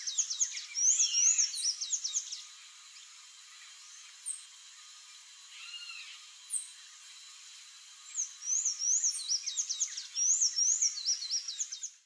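Sayaca Tanager giving bursts of high, squeaky, twittering notes, rapid and jumbled, with a quiet pause in the middle before the chatter resumes.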